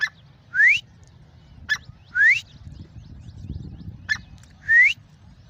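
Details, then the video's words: Grey francolin giving three loud phrases, each a short sharp note followed by a clear whistle rising steeply in pitch, repeated about every two seconds over a low background rumble. "Gray Francolin ||gray Francolin sound|| irani teeter ki awaz"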